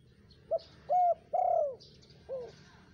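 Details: Spotted dove call for luring wild birds: a four-note phrase, brief coo, flat held coo, long falling purring coo and a final shorter falling note, with faint chirps from other birds.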